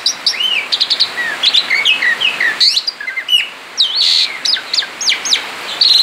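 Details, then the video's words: Male Asian pied starling, outside its cage, in continuous ngerol song: varied whistled loops and slurs mixed with harsh scratchy bursts, pauses briefly midway, then loud arched whistles. "Ngerol di luar sangkar jalak suren jantan gacor"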